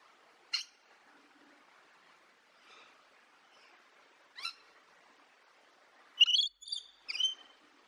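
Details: Thrush nightingale (Luscinia luscinia) singing in spring, in sparse bursts: a sharp click, a brief rising note, then a rich, warbling phrase of fast pure and buzzy notes near the end, with long pauses between.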